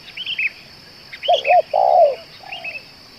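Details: A spotted dove that is said to keep calling for two hours and to make a good lure bird gives two quick looped coos, a long rough coo, then a softer falling coo, over chirping songbirds and a constant high hum.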